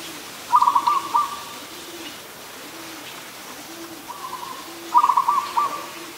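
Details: Adult zebra dove recorded 24 December 2020 in Ubon Ratchathani, Thailand: two trilled, stuttering coo phrases about four seconds apart, with low, soft repeated cooing pulses underneath throughout.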